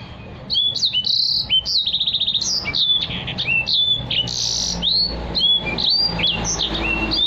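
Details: Caged Black-throated canary singing energetically as a model for other cage birds: crisp slurred whistles mixed with fast stuttering trills, phrases running together over several seconds.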